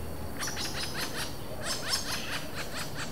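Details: Interaction calls between a pair of wild Robust Woodpeckers, Vargem Grande Paulista, São Paulo state, Brazil, April 2023, recorded on a Zoom H4n without playback: a quick run of short, downward-curving chattering notes across three seconds.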